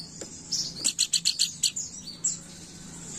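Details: Planduk Bukit, a bird used for luring, chattering briskly: one run of about eight quick, high, clipped chirps lasting under a second, then a thin trailing note over a steady low hum.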